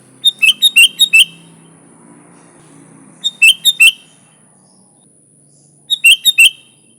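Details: Sooty-headed bulbul song used as a lure for bulbuls: three phrases of four to five quick, bubbly, whistled chirps, spaced about two and a half seconds apart, with a low murmur and a constant high hum.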